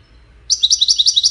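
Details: Silence gives way to a European goldfinch of the wedani kind. It sings a steady run of about eight bright, ringing chirps, evenly spaced and equally loud.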